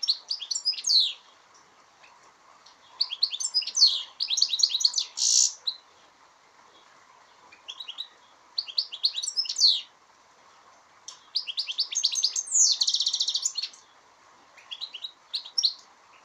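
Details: European goldfinch (Carduelis carduelis) singing at Aspropyrgos, Greece, 25 March 2015: bright, tinkling twitters in quick bursts separated by short pauses.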